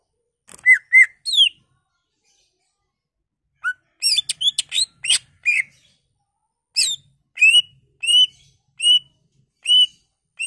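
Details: Mimicry-rich greater green leafbird song, played to stimulate other leafbirds: two slurred whistles, a dense jumble of high chattering notes, then evenly spaced upslurred whistles about every half second.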